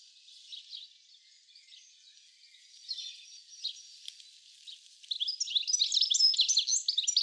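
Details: In a garden at Uddel, Netherlands, 10 April 2013, a goldfinch twitters softly at first, then bursts into a louder, fast run of sparkling high chirps and trills.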